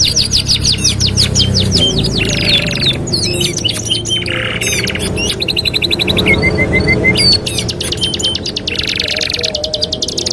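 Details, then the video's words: Canary master song for training: long bursts of high rattling trills, buzzy rolls and a run of evenly spaced piping notes, with a rushing noise in the background. "TERAPI MASTERAN KENARI 2 IN 1 | CANARY SINGING"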